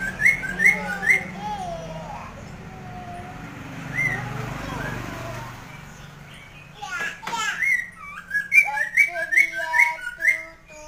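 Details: Masked laughingthrush singing energetically. Rising whistled notes open the passage, a quieter stretch with low murmuring follows, then a lively burst of repeated whistles and chirps.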